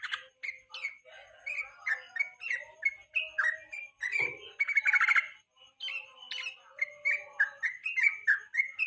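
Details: Yellow-vented bulbul lure song recorded in the evening, used as master training for national-level songbird contests: short bubbly, warbled phrases repeated about once a second, mid-pitched, with sharp clicks and a brief harsh burst midway.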